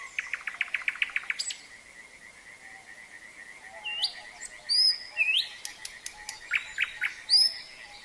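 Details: Common nightingale opens with a rapid burst of about ten repeated notes, then adds varied high whistles and buzzy phrases over a steady, thin trilling drone of singing frogs.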